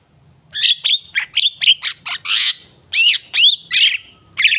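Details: Javan myna singing energetically, a captive bird in full voice; loud harsh notes alternating with whistled upslurs and a rasping burst, delivered in quick separate phrases.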